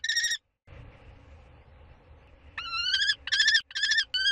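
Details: Common kestrel during a prey handover, 2 May 2013, gives shrill, ringing calls: one short burst, a pause with low background hum, then a quick series of harsh, slightly rising notes.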